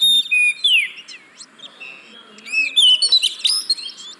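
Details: Oriental magpie-robin singing, used as a lure for caged birds that are slow to sing: clear whistled slurs falling and rising, a quieter middle stretch, then a fresh burst of bright notes.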